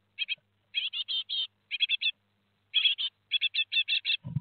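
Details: Great tit fledglings, four of them, leaving the nest at Théding, France, on 17 July 2020, giving bursts of scratchy chirps in twos to fives, ending with a low thud.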